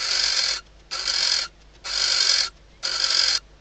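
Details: Barn owl female in a nest box in Spain's Ebro Delta, calling at night as the male comes to the perch, days before hatching; four loud, noisy hissing screeches, each about half a second, quickly repeated.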